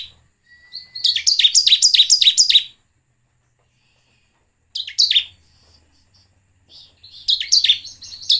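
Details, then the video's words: Bar-winged prinia, used as a lure call to make other prinias sing, gives fast, high, repeated buzzy chips in bursts of several notes with pauses between phrases. "PANCINGAN CIBLEK agar gacor dan nembak."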